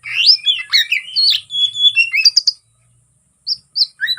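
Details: Oriental magpie-robin (kacer) fighting song meant to provoke rival birds: dense burst of varied whistles and rasping notes, a silent gap, then a few short phrases.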